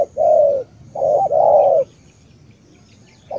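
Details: A spotted dove from Cà Mau, Vietnam, sings a tú-style phrase: one smooth low coo, a pause, then a double coo with a brief break, followed by quiet. A faint high whistle sits in the background.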